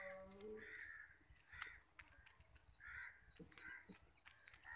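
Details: Hand-reared pet long-tailed shrike chick giving a series of harsh, rasping, crow-like calls spaced irregularly, with faint clicks and a steady low humming tone beneath.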